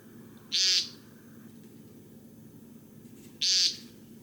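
American Woodcock giving two short, buzzy nasal 'peent' notes about three seconds apart, over a low background hum.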